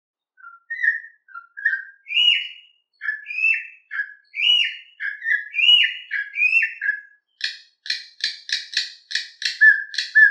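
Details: Canto mateiro song from a Campo troupial: soft rising whistles build into louder fluting phrases that step up and down, ending in a fast burst of harsh, rasping notes mixed with whistles.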